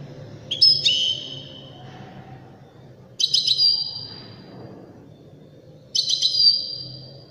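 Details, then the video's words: Singing European goldfinch, Widani type, delivering three rich phrases roughly every two and a half to three seconds. Each is a chattering burst that fades into a sustained high ringing tone. Quiet hum fills the background. "تغريد رائع أناقة في الأداء طائر الحسون الويداني"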